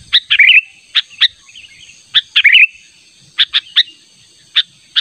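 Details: Sooty-headed bulbul calling insistently as a lure for a rival: scattered sharp chip notes with two short bubbling, warbled phrases, separated by brief pauses, with a faint steady high hiss.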